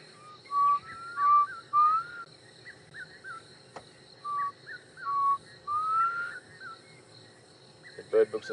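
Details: Black Cuckoo heard on an afternoon safari drive at Djuma and Arathusa, 1 December 2014. Its mournful song is said to sound like "I'm so sad". Two phrases of three or four clear whistled notes, the last rising, then a brief rattle near the end.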